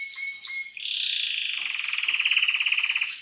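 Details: Timbrado canary in a cage gives two short sharp notes, then a sustained pulsing roll that swells louder and throbs evenly to the end.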